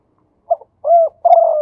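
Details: Male spotted dove from Thailand at the start of a 'khu ang' phrase: a brief double pip, a rounded mid-pitched coo, then the long, steady, rolling coo that begins to fall.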